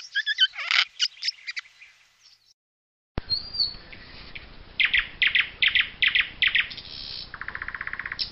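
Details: Eurasian jay in the Wittlich valley, Germany, recorded in 2018: a run of harsh, rasping bursts, then after a sudden cut a series of short scratchy notes and a fast, even rattle near the end.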